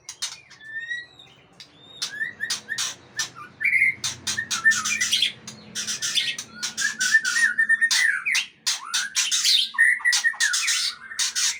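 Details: White-rumped shama of the long-tailed Aceh type: scattered whistles and warbled phrases mixed with many sharp, dry clicks and raspy notes, with a faint low hum in the background.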